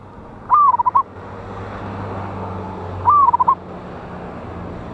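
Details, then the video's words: Loud local wild zebra dove, a lure sound for trapping, dated 11/8/24: two short phrases about two and a half seconds apart, each a rising-falling whistled slur followed by three or four quick notes. "PANCINGAN BURUNG PERKUTUT LOKAL ALAM SUARA BESAR"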